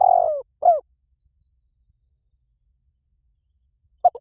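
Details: Spotted dove cooing: two smooth, falling, mellow notes in quick succession, then a short clipped coo after a silent pause of about three seconds. No other sounds.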